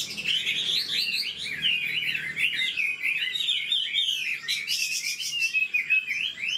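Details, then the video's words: Fast-paced song from an old wild-caught Chinese hwamei: loud looping whistles run together, then sharper clipped notes near the end. "Họa mi già rừng chất giọng cực hay. tốc độ mỏ nhanh"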